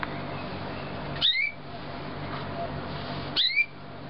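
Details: Young canaries from 2009 giving two sharp chirps about two seconds apart, each a quick rising sweep followed by a short high note, over a steady low hiss.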